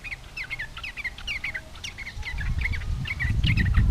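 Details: Yellow-vented bulbul in lively song, meant to provoke rival bulbuls into answering: quick bubbly chirping phrases repeated rapidly, with a deep rumbling noise rising in the background.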